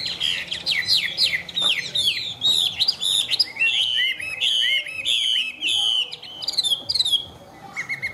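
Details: Tame caged Chinese hwamei singing a fast, unbroken stream of varied whistled phrases, slurred rising and falling notes mixed with sharp chirps, continuous for the whole stretch; a woman and child speak briefly afterward.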